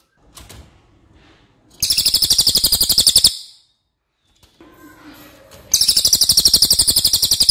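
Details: Racket-tailed treepie, a crow relative with a very loud voice, used to tutor other birds: soft scattered sounds, then two bursts of rapid rasping chatter at about four notes per second, with a silent gap between them.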